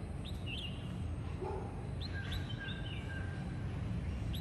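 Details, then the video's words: White-browed wagtail, also called pied wagtail, singing while it feeds, drinks and runs about: a few short, high, sharp chirps and quick slurred notes, scattered and unevenly spaced, over a steady low rumbling background noise. "Pied Wagtail Eats Drinks Runs n Sings"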